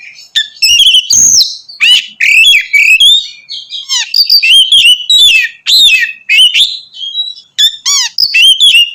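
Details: Oriental magpie-robin singing loudly and continuously in the ngeplong style, meant to provoke other magpie-robins; rich whistled phrases with rising and falling notes, sharp chirps and brief pauses, delivered in rapid bursts.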